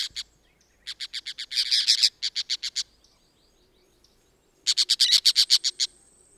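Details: A pair of orange-chinned parakeets in Costa Rica, 2021, calling in bursts of harsh, scratchy chattering notes about four per second, with several pauses between runs and a quiet background.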